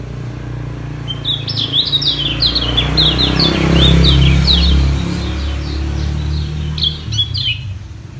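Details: Yellow white-eye (kecial kuning) battling rivals with song to keep its high position; rapid, thin, downslurred chirps repeat steadily over a loud low rumble of background noise.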